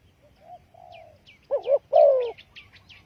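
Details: Spotted dove lure call for trapping. Quiet soft coos come first, then a loud wavering double note and a long falling croo. A busy chatter of high chirps from small birds and light background noise run throughout.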